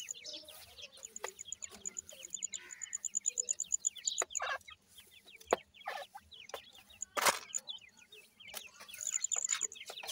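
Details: A group of grey francolin chicks peeping continuously, short falling notes, while a sharp, evenly pulsed high ticking runs through the first half and returns near the end, with occasional loud clicks.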